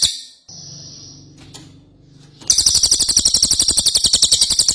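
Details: Ashy tailorbird singing energetically, in an original recording used to train other cage songbirds. A faint hum and scattered clicks come first, then a fast, loud series of shrill, high notes fills the second half.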